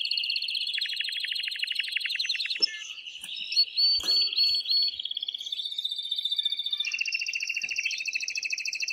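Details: Excited male canary singing strongly to stimulate the female to mate: fast buzzy trills around high pitch, shifting between rapid rolled tours and a brief run of clear repeated notes, then a quick pulsed trill at the end.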